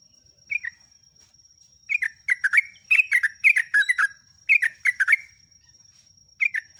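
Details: Sooty-headed bulbul song used as a lure to train captive birds: short, bubbly, liquid phrases of three to six notes, falling slightly at the end and separated by pauses, with a steady high electronic whine throughout.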